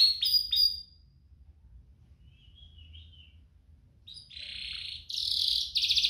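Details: Canary song used to prompt canaries to sing and to tutor young birds: a few sharp high downslurred notes, a long near-quiet stretch with faint twittering, then loud buzzy rolled trills at the end.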